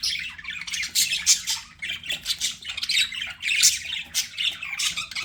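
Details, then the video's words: Budgerigars kept as pets produce continuous, rippling chatter of harsh chirps and squeaks, rising and falling in loudness roughly every half second. "BUDGIE SOUNDS"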